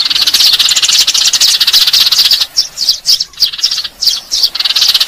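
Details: House sparrow lure recording: a dense, overlapping chorus of high chirps for about two and a half seconds, then thinning into separate sharp chirps in quick, irregular succession.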